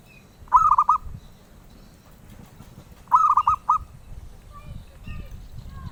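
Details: Zebra dove of the kind prized by collectors, singing two rolling cooing phrases about two and a half seconds apart, each a quick run of four or five soft, mellow notes, over low background rumble.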